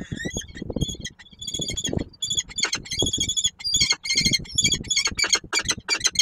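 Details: Peregrine falcon adult with young at the nest, Koszalin, 10 March 2022: a near-continuous run of harsh, tonal squawks with strong high harmonics, about three per second, over steady low rumbling and shuffling noise.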